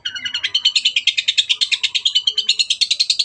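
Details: Long-tailed shrike singing at full volume, kept as a songbird. A fast, rolling chatter of bright, buzzy notes runs about three per second and grows louder and higher across the phrase.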